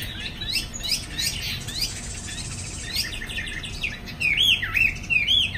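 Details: Chinese hwamei in a cage during the afternoon, flapping its wings, gives a stretch of scratchy, rapid chattering notes before loud rising-and-falling whistled phrases break out at the end.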